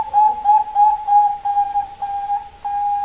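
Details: Zebra dove of the Bangkok perkutut type giving a near-continuous cooing line at one pitch, broken every half second or so by slight breaks and accents, over a soft background hiss.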